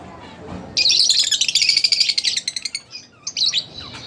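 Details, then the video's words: Caged split blue Fischer's lovebirds sing a sustained, shrill, rapid twitter that runs for about two seconds, then breaks into shorter high chirps, all very high pitched and loud. "lovebirds chirping | singing Sound"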